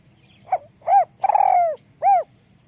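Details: One full call from a high-voiced spotted dove in the ลูกกอก style: brief soft note, arched coo, long stuttering coo tapering downward, final round coo, over a gentle low hum and light ticks.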